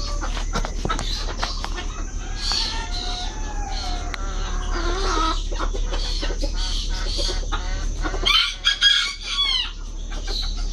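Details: Imported Brahma bantam chickens at an aviary in Malaysia; overlapping clucks and a drawn-out crow, with a loud harsh burst near the end and steady background hum.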